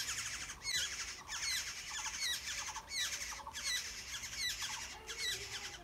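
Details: Nestling Black-hooded orioles being fed by adults, a continuous chorus of scratchy, buzzy begging squawks pulsing in bursts roughly every half second, with faint low background rumble.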